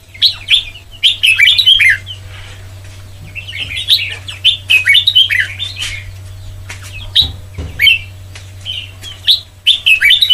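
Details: Song-training recording of a white-cheeked red-whiskered bulbul in the Sông Kon style: clusters of quick whistled and warbled notes recur every second or two, with brief pauses and a low constant hum.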